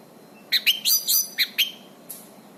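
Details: Orange-banded thrush singing hard, used as a master song for training birds: six or seven quick, sharp high chirps and short whistled phrases within about one second, then a soft final note.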